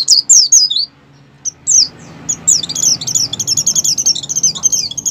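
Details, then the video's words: Oriental white-eye in heat singing, meant to spur other white-eyes to open their beaks and sing: high sliding whistles at first, then after a short gap a long, rapid, twittering run of very high notes. "pleci over birahi ngalas mempercepat pleci buka paruh dan pleci gacor"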